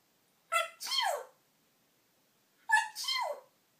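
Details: Indoor pet female parrot chattering in a storage room; two paired calls about two seconds apart, each a sharp harmonic note followed by a longer downward-sliding syllable, with silence between.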